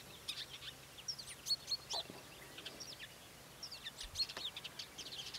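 A Red-backed shrike gives a run of dry, scratchy chattering notes with a few thin, high whistles mixed in, over a faint steady low hum.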